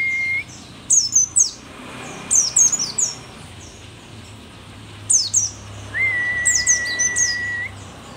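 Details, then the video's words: Rare Merapi-endemic mountain white-eye, an old bird in full song: clusters of quick, high, descending twittering notes, repeated every one to two seconds, and a long, even whistled tone near the end. "pleci merapi tak kan pernah ingkar janji, tua tua gacor"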